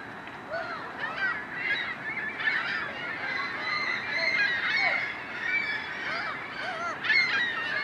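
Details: A flock of Iceland gulls at Ashbridge's Bay Park, Toronto, Canada, on 15 March 2010, calling over one another in a dense chorus of short arched, squealing and mewing notes, with a steady background hiss.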